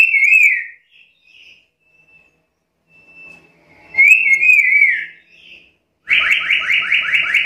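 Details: Black-capped lory in full voice: a sharp wavering whistle, faint soft notes, a longer rolling whistle sliding downward, then a fast buzzing trill of repeated rising notes at the end.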